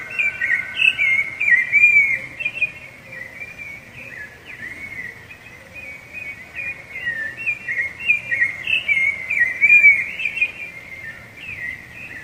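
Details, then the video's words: Long run of rufous-bellied thrush song, used to claim territory and court females: repeated bursts of warbled, clear whistles, some phrases sliding downward, coming in quick series with a brief quieter stretch midway and a faint lower whistling behind. "Canto de Sabiá Laranjeira"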